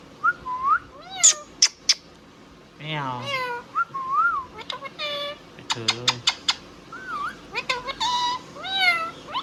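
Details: Indian ringneck parrot in a long talkative stretch: wavering speech-like syllables, bursts of sharp clicks, rising and falling notes and brief squeaks, delivered in quick, uneven phrases.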